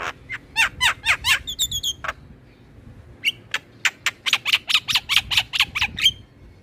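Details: Javan myna, with other mynas, as a lure track for captive songbirds: a burst of quick rasping chatter notes, a brief pause, then a long fast series of grating, evenly spaced notes ending in a whistle.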